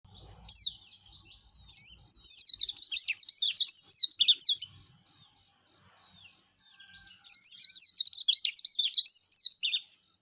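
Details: Yellow-breasted white-eye singing vigorously: two long bursts of fast, high, twittering warbled notes, separated by a pause of about two seconds, with soft chirps in between.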